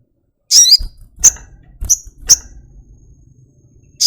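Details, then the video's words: A caged flowerpecker opens with a loud, quavering downslurred note, then gives three sharp high ticks about half a second apart and another slurred note at the end. "Tropical Bird Calls to Relax honey bird sogokontong"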